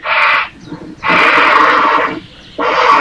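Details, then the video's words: Recorded Grey Heron voice, the sort heard by water: three loud, rasping, drawn-out croaks, the middle one lasting about a second, separated by short pauses. "No, czyli tak jak słyszeliście, takie odgłosy, jak słyszycie gdzieś nad wodą, to są czaple."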